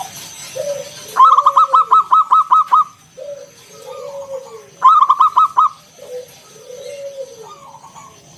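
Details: Local wild zebra dove with a loud 'ngalun kung bulat' song used as a lure for other doves: two fast bursts of about nine and six crisp coos, with low, arching coos from other doves answering between them.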